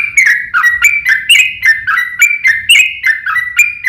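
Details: Yellow-vented bulbul giving an aggressive fighting song used to provoke rival bulbuls into singing back. Rich liquid whistles step down and then up in a chattering sequence of about a dozen notes, each opening with a crisp high click, over faint low rumble.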